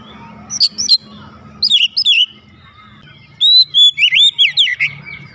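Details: Home-kept oriental magpie-robin responding immediately with loud whistled song, paired sharp notes first, then a rich flowing phrase of looping whistles, above a steady low hum.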